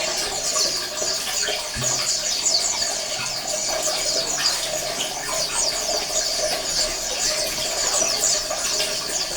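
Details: Colony of Oriental white-eyes used to stir quiet males into singing: a dense, continuous mass of high, thin chirps and twittering trills from many birds, with a watery, splashing hiss beneath.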